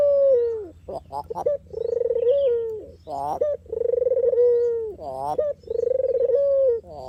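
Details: Dove called puter or deruk, recorded to lure birds: a falling drawn-out coo, throaty rolling bursts, then repeated purring coos ending in long level notes, roughly every two seconds.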